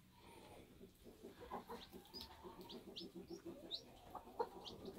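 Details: Bantam chickens at a homestead during hatching: a steady run of low, soft clucks with a few faint high chirps above them.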